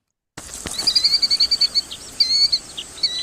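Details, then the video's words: A Killdeer gives a frantic alarm call, used when someone is near its chicks or nest: a rapid run of high, shrill notes, about six per second, in two bursts with faint background noise. "that's an alarm call you hear when you're near chicks or a nest."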